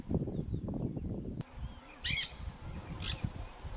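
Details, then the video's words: Macaws living wild in Brazil, Pantanal or Amazon, 2016–2017; after a sharp knock, one loud grating squawk is followed a second later by a shorter, softer rasp, over low background rumble. "Macaws in Brazil (in the wild)"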